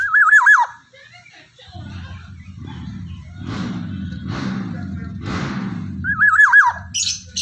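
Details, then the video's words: Black-naped oriole of Java singing loudly in the morning: a rolling, wavy fluted whistle opens the recording and returns about six seconds later. Between the phrases there is a steady low hum with muffled, voice-like background sounds. "kepodang emas jawa gacor & menggema || kicauan di pagi hari"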